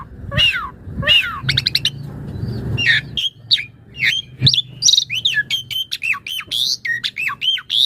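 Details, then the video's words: Singing Asian pied starling (jalak suren), recorded as master song and lure for other birds; squawky swooping notes and a rapid rattled series, then dense varied whistles and chirps with a faint low hum behind. "Jalak Suren Gacor Auto Bongkar Isian Buat Masteran Pagi/Sore/Malam & Pancingan Burung Jalak"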